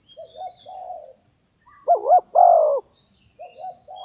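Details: Spotted dove calling to lure doves: soft low coos open, then a loud phrase of two quick wavering coos and a drawn-out purring note, followed by quieter coos; constant faint high-pitched hiss behind.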